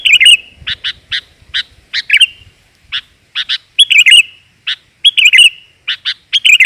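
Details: Sooty-headed bulbul female, 'gajor' lure call for males: chattering mix of sharp chips and short warbled phrases in irregular bursts, with soft low rustling at the beginning.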